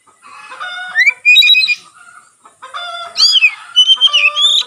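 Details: Oriental magpie-robin, tail spread, in lively song said to prompt other magpie-robins to sing; rich ringing tones with clear overtones, a rising slur, then a second phrase of bright wavering whistles.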